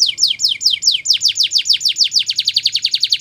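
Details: Song from a Belgian canary meant for training young canaries, loud slurred descending notes repeated a few times, then quickening into a rapid, steady, high rolling trill.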